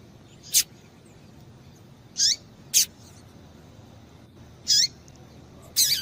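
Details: A female double-collared seedeater (Sporophila caerulescens) gives thin, high, sharp call notes, some dropping in pitch, spaced a second or two apart over a quiet background; these female calls stimulate males to sing.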